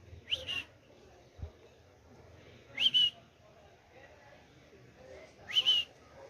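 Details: A parrot living in a neighbourhood repeats a two-syllable whistled 'hola'-like phrase three times, about every two and a half seconds, with a soft thump and a quiet background between calls.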